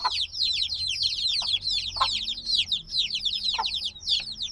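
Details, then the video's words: Several days-old black chicks peep loudly and nonstop, still needing their mother's warmth; bright downward-slurred whistles stream in overlapping waves, with a few soft lower taps, recorded binaurally. "Baby Chicks Sounds - Baby Chicken Chirping Noises"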